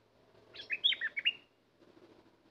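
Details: One brisk warbling phrase from a bulbul used as a decoy for catching wild birds: a tumble of about six sweet, sliding chirps in under a second, followed by soft low background rumble.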